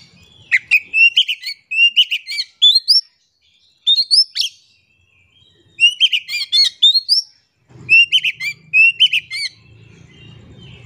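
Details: Oriental magpie-robin singing energetically, used as a lure to get quiet birds singing: bursts of sharp, buzzy, rising whistled notes in rapid clusters, separated by short pauses, with faint low rumble near the end.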